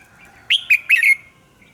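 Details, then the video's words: Red-whiskered bulbul morning song for bird training: a single crisp phrase of four clear, slurred whistled notes in quick succession over a faint, steady background hum. "luyện giọng chào mào hót sáng - Hót hay nhanh lửa"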